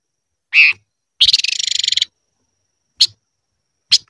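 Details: Silver-eared mesia in 'ché' style training song: a loud slurred note, then a harsh, buzzy rattling trill lasting almost a second, followed by two short sharp chirps.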